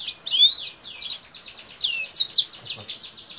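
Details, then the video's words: A Kingthroat in full song, said to resemble a Blackthroat, sings a fast, unbroken twitter of high, sweet, slurred notes and trills, rising and falling with no pause between phrases. "KINGTHROAT GACOR Atas Bawah BUKA SAYAP || Mirip Suara BlackThroat"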